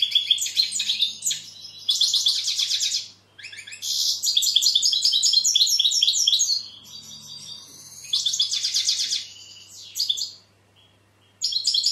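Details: European goldfinch delivering bursts of dense, high, jingling twitter lasting a few seconds each, divided by short quiet gaps, with some buzzy trills mixed in; faint low hum throughout.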